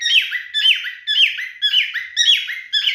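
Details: Male cockatiel in mating display gives quick repeated whistles, each a sharp upward sweep followed by a lower falling slur, about two phrases per second, in a small room.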